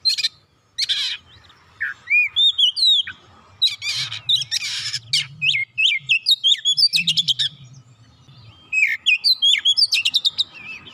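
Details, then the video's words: Oriental magpie-robin song played to prompt a silent kacer into full singing: loud bursts of varied whistled notes, rising and falling slurs and rapid buzzy chattering trills, separated by short pauses, over a faint low hum. "kicauan indah memancing suara Kacer macet bunyi langsung gacor"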